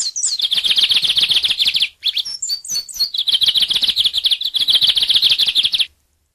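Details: Lined seedeater (bigodinho) pouring out two long, rapid, high buzzing trills joined by a short burst of varied whistled slurs, the whole song running about six seconds before stopping.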